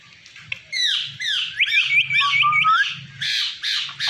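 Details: Pet Indian ring-necked parrot, a green talking bird said to say mummy papa, gives harsh, rapid, repeated squawks in quick succession, some with downward-sliding whistled parts, loud and continuous throughout.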